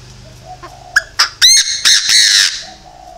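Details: Decoy Chinese francolin calling: after a quiet moment with a low hum, sharp clipped notes speed up into a run of loud, grating squawks that then trail off.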